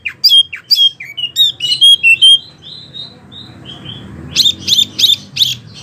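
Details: Training recording of a Wambi for oriental magpie-robins and other birds: a varied phrase of sharp chips and clear slurred whistles falling away, a short pause, then four or five loud, crisp high notes, with a low background hum.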